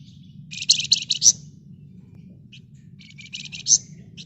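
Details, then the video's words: Red-whiskered bulbul singing in the dense ngebren rapat style, used as a lure to prompt other birds: two bursts of rapid buzzy rattling chatter, each ending in a sharp high note, over a steady low hum. "Burung Flamboyan Gacor Ngebren Rapat Nyerecet Cocok buat Pancingan"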